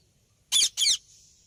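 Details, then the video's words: Indian ringneck parrot giving two loud, harsh, high squawks in quick succession, each about a quarter second long, followed by a faint lingering hiss in an otherwise quiet setting. "Indian Talking and Funny Talking Parrots Video"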